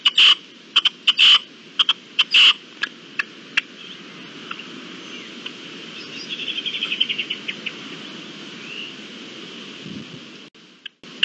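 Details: Red-legged partridge, 25 April 2021, giving a burst of harsh, clipped notes in the first few seconds. The calling then fades into faint whistles from other small birds over a constant hiss.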